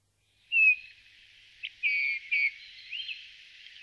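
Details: Eurasian bullfinch calling with a clear whistled note, then a brief chip and two more whistles, trailing off into soft warbled sounds.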